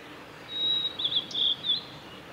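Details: A male blue-and-white flycatcher sings on 17 May 2020 at Lake Miyagase, Japan, on the Kanazawa forest road: a long steady whistled note, then a burst of rapid warbled notes and a last short whistle.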